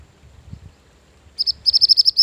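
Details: Mantenan gunung bird song used as a lure and master song for training. A quiet opening gives way to a rapid series of high, sharp, evenly spaced notes, about eight chips in under a second.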